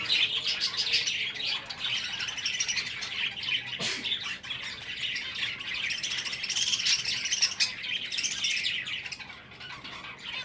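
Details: Breeding finches chatter nonstop with rapid, irregular high chirps and squeaky notes layered together. A single sharp tap is heard early on, and the chorus fades slightly toward the end.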